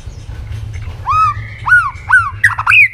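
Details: A white-rumped shama gives harsh, rising nasal squawks in morning voice training, four or five in quick succession, ending with a higher whistled note.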